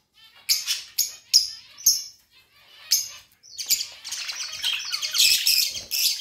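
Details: Budgerigar calls start as sharp single chirps spaced about half a second apart, then build into continuous busy, buzzy chattering.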